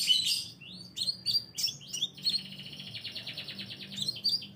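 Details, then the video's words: Scarlet minivet lure sound for drawing in birds: several high sweeping whistles at first, then a fast, even, buzzy trill held for about two seconds, and more sweeping whistles at the end. "suara pancingan burung sepah raja"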